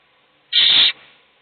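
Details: Owl chick in a nest being fed by an adult while its nest-mates sleep; a single loud, rasping screech of about half a second, steady and hissy, against a quiet background.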